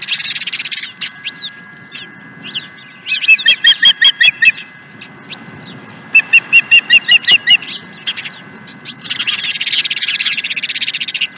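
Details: Osprey at a ranch nest, 16 April 2020: two bursts of quick, evenly spaced whistled chirps separated by a pause. Rushing hiss, like wind or flapping, at the start and again near the end, with scattered softer calls between.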